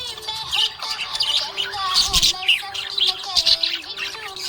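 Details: Cheerful budgerigar warbling in a busy stream of high chirps, clicks and squeaky notes, loudest around the middle, with song music running underneath.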